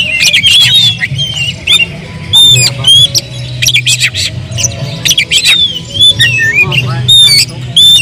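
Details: Agitated oriental magpie-robin singing as a provoking lure: a long, varied stream of sharp whistles, slurs and scratchy notes in quick succession, steady low hum beneath.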